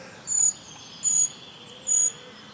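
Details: Eurasian treecreeper calling three times: brief, very high, thin, hissing notes spaced about three quarters of a second apart, over quiet background noise.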